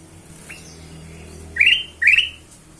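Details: Ruby-throated bulbul lure sound meant to prompt other birds into song: one faint rising note, then two bright, slightly warbling upslurred whistles in quick succession.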